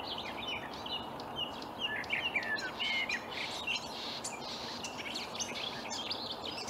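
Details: Early-morning Marsh warbler song from reeds in Upplands Väsby, Sweden, May 2020: fast, varied warbling of chirps, whistles and short buzzy notes, somewhat distant, over steady background noise.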